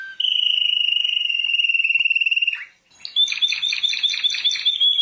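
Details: Champion canary singing a long, even rolling trill of fast pulses, a brief pause, then a bright, rapidly repeated rattling phrase of high notes.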